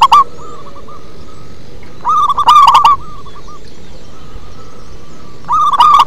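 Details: Local zebra dove singing in a deep, bassy voice: bursts of rapid, rolling coo notes, some very loud and harsh, separated by softer trailing coos, with a steady background hiss.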